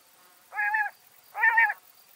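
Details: Two drawn-out nasal, buzzy notes from a backyard bird in Washington State, spaced under a second apart, steady in pitch, heard clearly over near silence.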